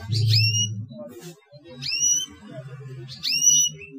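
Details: A male canary in breeding condition calls to stimulate rival canaries to sing, giving three clear rising whistled cuit notes about 1.5 seconds apart over a low rumbling background.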